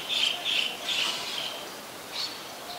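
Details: Olive-backed sunbird in a mangrove forest at the Sirinart Rajini centre in Thailand: clusters of short, high, thin chirping notes, four quick bursts in the first second and a half, then two more isolated chirps after a pause, over faint background hiss.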